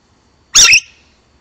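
An African grey parrot gives a single harsh, high squawk lasting about a quarter second, with a short ringing tail, in a quiet room.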